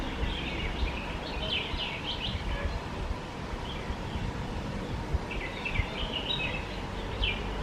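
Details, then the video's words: A red-whiskered bulbul, seen close up while eating, gives two bursts of bright, chattering whistled notes, first for about two seconds, then again after a pause, over a steady low background rumble. "Red-whiskered bulbul eating and making sounds"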